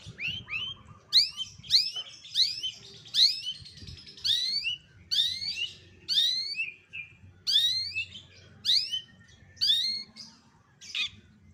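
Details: Cendet, or long-tailed shrike, delivering borrowed calls of other species for contest-bird training: loud, high chirps, each sweeping steeply downward, grouped in pairs and repeated about every second, with faint low hum beneath.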